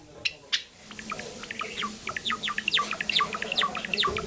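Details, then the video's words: A pet sakura Java sparrow chirps continuously: quick downslurred high tweets tumbling over one another in a busy, jingling stream, with a faint low hum behind. "さえずり文鳥動画 Java sparrow chirping"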